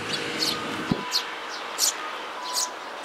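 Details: Eurasian tree sparrows with their chicks, 13 May 2018: a handful of sharp, high chirps spaced about every half second to second, with a soft low click and quiet background hum.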